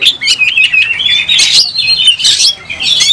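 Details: Fighting oriental magpie-robin (kacer) with tail opened, singing excitedly. Bright whistles slide and warble, broken by bursts of rasping notes, all sharp and loud.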